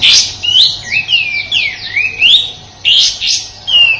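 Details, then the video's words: Sooty-headed bulbul song as master material for white-rumped shamas: scratchy bursts and a tumbling sequence of sliding whistles, some falling, some rising, in steady phrases. "Suara tembakan kasar kapas tembak untuk masteran murai batu dan burung kicau lainya"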